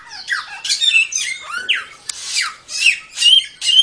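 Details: Samyong master song for training songbirds: rapid run of downward-slurred whistles and buzzy squawking notes, about two per second, loud and unbroken.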